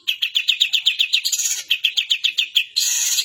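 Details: Long-tailed shrike mimicking another bird: a rapid, steady series of high sharp chirps, then a harsh buzzy hiss at the end.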